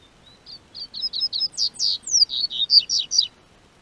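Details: Double-collared seedeater singing in southern Brazil as spring weather warms: a quick run of about a dozen clear, high whistled notes, some sliding downward, speeding up and growing louder before stopping abruptly.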